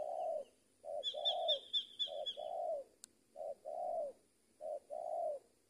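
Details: Spotted dove cooing during a luring session in Indonesia: low, hollow coos in pairs, a short note then a longer falling one, repeated about every 1.2 seconds, with a thin, high, rapid chirping series from another bird early on.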